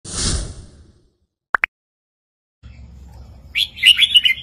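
Red-whiskered bulbul: two sharp, clipped notes, then a bright, bubbly run of chirpy whistles. A brief rushing whoosh opens the recording.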